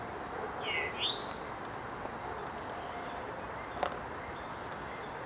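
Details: Eastern Towhee at Clyde Shepard Nature Preserve on 13 February 2017 gives one quick, rising, slurred call near the start, then falls silent against a steady hiss of outdoor background noise.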